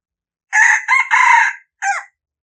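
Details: A red junglefowl gives a full crow, harsh and ringing, with three run-together phrases and then a brief gap before one last dropping note; no background noise.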